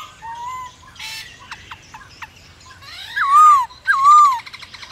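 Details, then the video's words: White-browed laughingthrush song to encourage other birds to sing: soft whistles and clicks at first, then two loud, clear whistled phrases that rise and fall in a smooth arc. "Khướu bạc má hót kích bổi căng lửa hót cực sung/Tiếng khướu siêu nhạy bổi/mở lên là bổi hót ngay"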